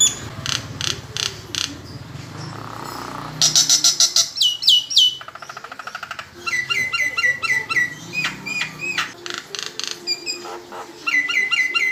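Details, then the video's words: Nias hill myna singing at full repertoire as a lure for other songbirds: dense mix of ringing whistles, rapid rattling trills, buzzy bursts and repeated bright chirps, loud and continuous. "PANCINGAN JALAK NIAS (BONGKAR FULL ISIAN) DIJAMIN RESPONSIF"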